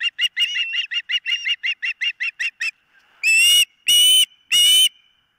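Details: Osprey calling at the nest on a camera, morning of 4 September 2023: a quick run of short, piping chirps, a brief pause, then three long, loud, strident whistled yelps.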